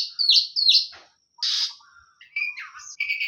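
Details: Oriental magpie-robin of the hot type sings loud rasping notes, two quick upslurred calls, then a harsh burst, followed by softer chattering and short whistled notes.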